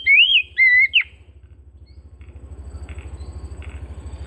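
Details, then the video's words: Home-kept Oriental magpie-robin giving two or three quick, loud whistled notes that swoop up then down. They are followed by faint distant chirps over a rumbling low engine-like hum. "Terapi Burung Kacer Rumahan"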